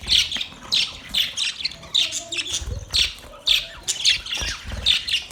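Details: Budgerigar chirping in short, punchy squawky bursts repeated roughly every half second to second, each a high scratchy chirp cluster.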